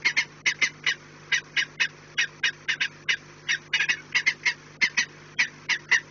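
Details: Peregrine falcons at the nest, 4 March 2019, 16:28: a continuous chattering series of rasping notes, roughly five per second, some doubled, with a constant low hum beneath.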